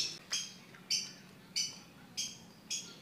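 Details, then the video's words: Harsh, scratchy bursts from a tame, talking yellow-eyed white-vented myna, about every 0.6 seconds, evenly spaced across the recording. "jalak kebo mata kuning asli-bisa jinak bisa ngomong"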